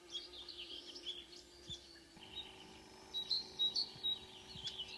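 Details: Marsh warbler singing at 5 a.m. in June near Ski, Norway, a mimic of other birds: scratchy warbled phrases then bright thin whistles and chirps in rapid succession, low hum behind.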